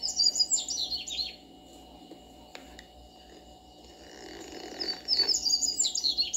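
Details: Backyard double-collared seedeater singing two quick warbled phrases of sweet, high, tumbling notes, one at the start and one at the end, with a quieter gap between holding faint lower chirps and a steady low hum.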